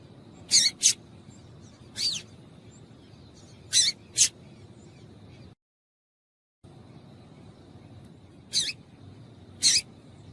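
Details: Female double-collared seedeater piping to excite males into singing; high, thin chips come mostly in quick pairs, spaced a couple of seconds apart, with a brief silent gap midway.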